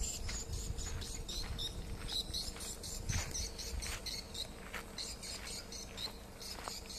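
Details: Swiftlet distress call: rapid, irregular, high, clicky chirps repeated several times a second over a steady low hum and rumbling background.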